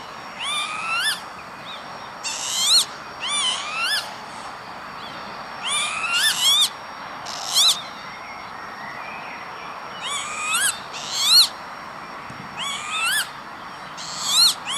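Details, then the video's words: Northern lapwing (Vanellus vanellus) on an industrial estate near Veenendaal, Netherlands, 28 May 2013, giving wheezy, slurred rising-and-falling 'pee-wit' calls in short bursts every second or two over a quiet background. "Kievit - Lapwing - Vanellus vanellus"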